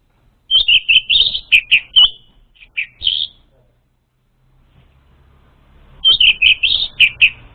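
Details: Orange-headed thrush lure song: a fast sequence of clear whistled and slurred notes lasting about two and a half seconds, a few scattered notes, a silent gap, then another rapid burst.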